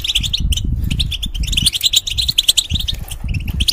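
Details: Caged European goldfinch singing for young birds to learn from; rapid twittered phrases with short gaps, over steady low-pitched rumbling background noise.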